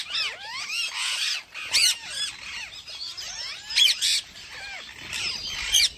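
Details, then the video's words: Parrot chirping in its natural voice, not mimicry: bending whistles and squeaky chirps in loose bursts, separated by short pauses, with occasional harsher high squawks. "PARROT CHIRPING SOUND"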